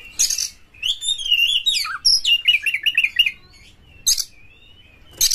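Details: Kacer, the white-rumped shama, in full rough song meant to get other shamas singing: a long rising whistle, then quick warbled slurs and chatter, with sharp high bursts before and after.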